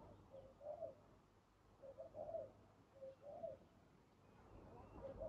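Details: Wild spotted dove heard during decoy trapping, giving mellow, low coos in paired phrases about once a second over a faint steady hum.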